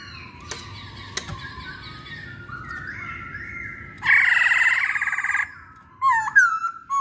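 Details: Masked laughingthrush, locally called poksay hongkong, in a recording used to stir other birds: soft drawn whistles, then a loud rasping harmonic burst lasting over a second, followed by short rising whistled notes, with a low background hum.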